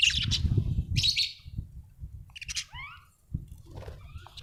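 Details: Happy budgerigar chirping: bursts of bright, scratchy high chirps, then short, quick, down-slurred twittering notes, over a steady low rumble and thumping background.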